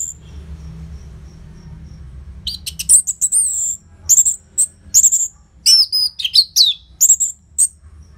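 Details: Orange-headed thrush song intended to make caged birds sing: after a few faint notes, a loud series of high, slurred whistled phrases comes at intervals of roughly half a second, some with buzzy, chattering edges.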